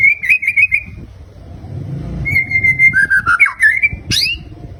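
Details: Murai batu (white-rumped shama) fighter bird: a fluttering held whistle, a pause, then a level whistle sliding into lower wavering notes and ending with a sharp rising sweep, low hum behind.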